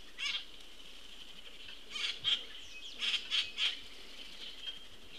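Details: Common Grackle juvenile being fed by a parent, 22 June 2018: short, harsh, noisy squawks, one early then a quick run of four or five in the middle, over a continuous high hiss.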